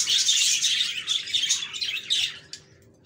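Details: Happy budgies chirping: rapid bursts of high, scratchy twitters, about three per second, that grow sparse and trail off into near silence at the end.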